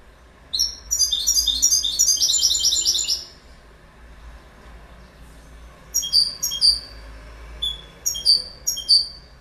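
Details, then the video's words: A goldfinch gives a rapid, tinkling twitter lasting a few seconds, falls silent, then follows with a string of separate short, clear, high call notes. "Goldfinch Bird Sound"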